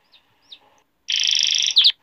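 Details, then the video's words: Male canary song for training young canaries: two faint soft notes, a pause, then a loud, even buzzing roll of nearly a second and a brief sharp flourish at the end. "تغريد ملك الكناري ذو حنجرة الذهبية لتحفيظ صغار الكناري"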